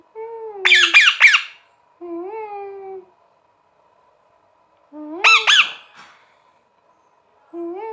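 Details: Parrot calling indoors: a drawn-out descending nasal note, then a burst of three harsh, broadband squawks, a flat level note, and another pair of loud squawks, separated by short silent gaps.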